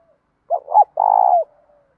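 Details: Spotted dove cooing in a 'đồng' voice with a touch of 'thổ', used to train and provoke doves: two short hoots, then a steady, throbbing coo that drops at the end, followed by a faint trailing hum.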